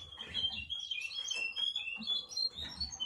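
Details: Russian canary in continuous song: dense, high, warbling whistles and rapid trills that slide up and down without pause, with a soft low rumble underneath.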